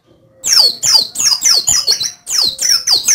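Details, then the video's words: Oriental white-eye of the Dakun type from Pacitan, a contest bird, singing loud bursts of steep high-to-low sweeping notes, about seven in quick succession with a short pause midway. "Burung Prestasi Pleci Dakun Pacitan"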